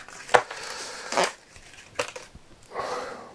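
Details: Indoors, several short bursts of rustling and crushing handling noise, with a faint murmur of speech between them; no animal sounds are heard.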